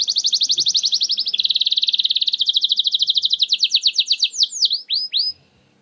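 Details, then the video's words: Canary song used as a lure to prompt reluctant canaries to sing: rapid trills of high repeated notes, shifting into faster buzzy rolls, then a few sweeping downslurred whistles to close. "Solusi JITU Kenari Susah Bunyi! Bakal Langsung Respon Dengan Pancingan Kenari Nembak Ini"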